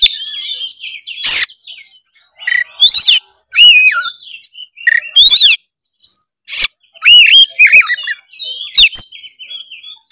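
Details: Oriental magpie-robin in full competitive singing, meant to provoke a rival into answering: loud, clipped whistled phrases and sharp rising-falling notes in short bursts separated by silences, with harsh broadband notes between.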